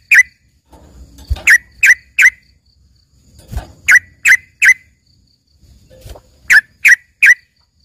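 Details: Trucukan, or yellow-vented bulbul, delivering song meant as filler for a singing green leafbird: three-note bursts of crisp chirps repeating every couple of seconds, interspersed with muffled thuds.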